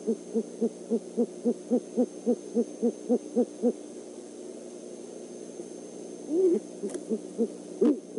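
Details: Great horned owl of a pair, male and female, visiting an eagle nest overnight on 17 December 2014, gives about fourteen low, even hoots, roughly four a second, then a few higher squealing notes over a faint steady hum.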